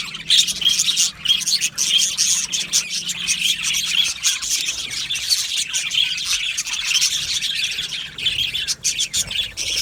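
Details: Budgerigar colony in an aviary, Australian parrots singing and chirping: constant high twittering and clicks from many birds blending into a steady chorus.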